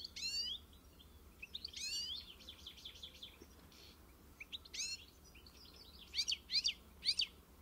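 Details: European goldfinch encarte song: scattered bursts of steep, bright chirps and a short fluttering run, then a long quieter pause before a final trio of loud, high chirps. A low hum runs underneath.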